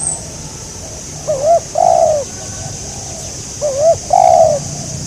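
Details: Spotted dove, a local wild bird targeted during bird trapping with a decoy, giving two coo phrases. Each opens with a short wavering note and ends in a longer, drawn-out falling coo, about two seconds apart, over a steady background hiss.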